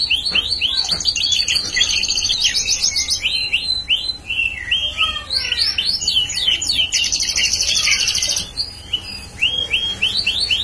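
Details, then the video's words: Bar-winged prinia delivering busy song of quick high notes, sweeping chirps and fast trilled bursts, varying in pace with a few short quiet spells. "prenjak paud gacor"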